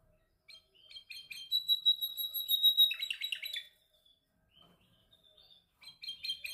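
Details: Canary practising its song: bursts of chirps and a steady trilled phrase, then a short silence and renewed choppy notes.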